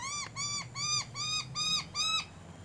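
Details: Noisy Miner alarm call from a family colony at a Brisbane bird sanctuary on a sunny day: six loud, nasal, strongly harmonic notes repeated about every half second, each slightly arched in pitch, over a faint low hum.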